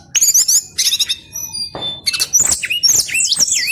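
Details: Male brown-chested jungle flycatcher giving a long rolling 'ngeroll' song: bursts of high quick trills and chirps, a short pause with a soft rustle, then looping, swooping whistled notes.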